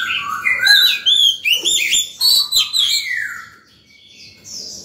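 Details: Oriental magpie-robin in heated, freely flowing morning song, used to call wild birds and train young birds; loud varied whistles and sweeping slurred notes in rapid bursts, some buzzy trills, fading toward the end into quieter high phrases.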